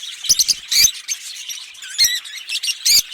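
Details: Green pair of Fischer's lovebirds chirping, sharp piercing squeaks and clicks in short separated bursts, several loud accented notes over softer high chatter.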